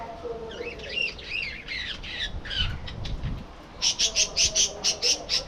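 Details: Budgerigars in a breeding colony aviary: warbling, scratchy chatter at first, then a fast, even series of about eight sharp high chirps, over a steady low rumble and background hiss.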